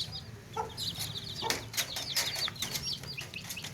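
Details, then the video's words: Baby chicks kept in a tokri basket, chirping in many rapid high peeping notes, dense overlapping calls, with a few short broadband thumps and scuffles among them. "Baby Chicks Chirping Sounds In Tokri | Chicken's Chicks Sounds and Chickens Clucking Sounds"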